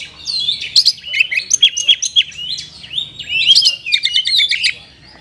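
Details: Oriental magpie-robin singing kacer isian in the kapas tembak manner: a continuous stream of buzzy, slurred whistles and quick chattering notes, moderately loud over faint low hum.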